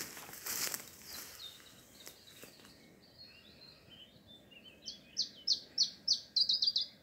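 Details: Iberian chiffchaff singing before sunrise in mid-June near Skagen, Nordjylland, Denmark, a moving migrant bird that had probably just arrived overnight; after faint chirps, a loud run of six or seven sharp, descending notes repeated rapidly at the end.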